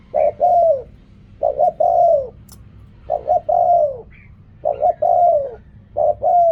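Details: Steady run of about five coo phrases from a spotted dove, in the riak kham, khu kham and ok rong styles, each a pair of short coos and a drawn-out sinking coo, little else heard.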